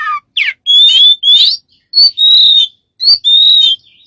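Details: Bird giving strange whistled calls: a falling slur, then several drawn-out rising and level whistles, each about half a second long, with short gaps between.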